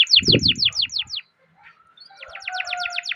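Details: Canary singing a long roll meant to stimulate other canaries: a series of quick, high, descending notes over a low thump, a brief pause, then another rapid, evenly spaced trill of falling notes over a faint steady tone.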